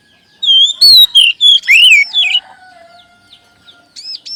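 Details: Oriental magpie-robin song played to boost caged birds' singing: a rich run of loud whistled phrases with swooping, falling and wavering notes for two seconds, then quiet, ending with faint arched notes.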